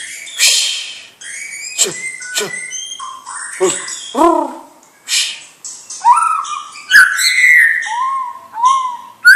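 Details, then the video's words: White-rumped shama, a young bird of champion stock, delivering a varied song of sharp clicks, downward-sweeping notes and rich fluty whistles, with short low mellow whistles repeated near the end. "Murai Batu Bibit Trah Juara"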